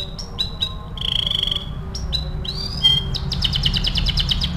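A canary sings a varied run of clear whistled notes, a bright rolling trill and fast repeated chips, high and lively, over a low steady background rumble.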